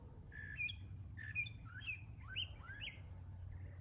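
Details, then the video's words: Northern mockingbird morning song: a series of clear slurred whistles, several rising upward, given about twice per second, against a low steady hum. "Northern Mockingbird Singing Multiple Morning Songs?"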